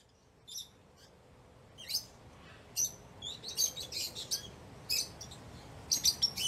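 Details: Lovebird chattering in bright, high chirps and squeaky notes, irregular and fairly continuous, over a steady low hiss of background noise.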